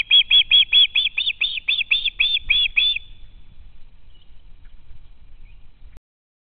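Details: Juvenile osprey at the nest hoping for food from a parent, live nest camera in Estonia: a burst of about fourteen loud, shrill screams in quick succession over three seconds, then faint background hum only.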